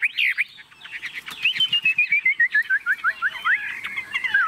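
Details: Chinese hwamei, a tame bird in a hand-carried cage, sings a steady series of clear slurred whistles, each note repeated several times per second, over faint rustling.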